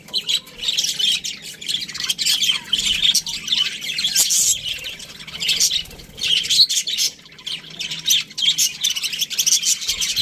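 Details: A group of budgerigars in an aviary keeps up steady chatter, with fast squeaky chirps, buzzy warbles and clicks rising and falling in waves.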